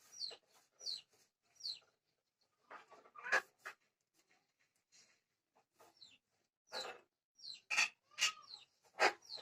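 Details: Myna talking in Odia: a run of quick chirps and whistled notes mixed with breathy, speech-like bursts, growing denser and louder toward the end.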